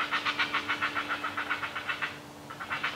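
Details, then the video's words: Great blue heron chicks being fed by a parent keep up harsh begging, a fast, regular series of raspy clacking pulses at about three or four per second, over a steady low hum. "Great Blue Heron family - feeding the kids"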